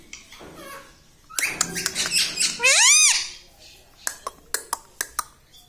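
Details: Pet rose-ringed parakeet, green ringneck, kept indoors and taught to say words like mummy and mithu; harmonic, rising-falling speech-like syllables in a quick burst, then a row of sharp clicks, with high insect hiss in the background.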